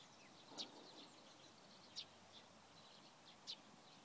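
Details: A Eurasian Tree Sparrow (Passer montanus) at Provodov-Šonov on 24 March 2016 gives three short, sharp high chirps about a second and a half apart, with faint rustling background noise.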